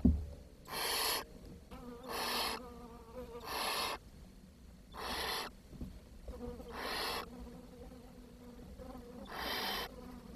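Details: Young barn owls in a nest where too little food arrived for all of them, 10 June 2023. Six harsh, breathy hisses of about half a second come at irregular gaps over a soft, low background hum.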